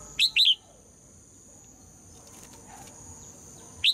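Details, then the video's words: Female red-whiskered bulbul song to provoke males: a quick pair of bright downward-slurred whistles at the start, then quiet, ending with a single note cut off. "นกหัวจุก birds - เพลงนกตัวเมียเพราะดี ชวนให้นกตัวผู้ร้องอย่างแรง"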